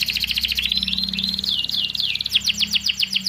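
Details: Young canary singing as a model for stalled canaries: a dense high trill with gliding notes woven through, then a brisk string of short down-swept notes.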